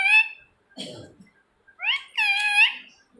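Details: Ring-necked parakeet calling in harsh, ringing squawks. A short screech opens, a low rough sound follows, then a rising squawk and a longer, strained, wavering screech.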